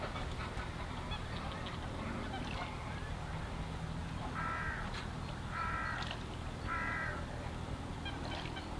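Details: Greater white-fronted geese at NSG Ahsewiesen on 17 February 2019 at 14:50 give high, yelping double-noted calls, three bursts about a second apart, over a steady low rumble of wind or distant flock noise.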